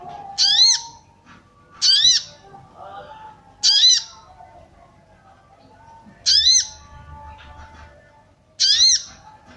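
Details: Female sooty-headed bulbul calling to arouse males, suitable for luring wild birds. Five sharp, squeaky notes rich in overtones arrive at uneven gaps of one to two seconds, with faint softer chatter in between.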